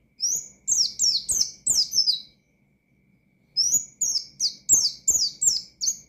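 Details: Loud ngalas-style singing from an Oriental white-eye, provoking opponents. Two fast series of clear, high, falling whistled notes, each lasting about two seconds, are separated by a silent gap.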